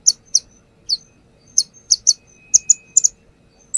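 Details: Brown-throated sunbird (konin) perched and singing through its learned repertoire, recorded as a lure: sharp, high, metallic chirps in clusters of one to three, with short silent gaps between bursts.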